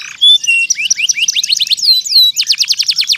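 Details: Vigorous canary lure song for coaxing reluctant canaries back into song and tutoring two- to four-month-old youngsters: a clear whistled note, rising slurred phrases, then a rapid burst of loud, evenly repeated chips.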